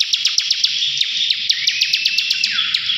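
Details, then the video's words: Rapid, rattling buzz from a bar-winged prinia singing ngebren, with crisp ticks about every quarter second and a faint sliding whistle near the end. "CIBLEK NGEBREN GACOR"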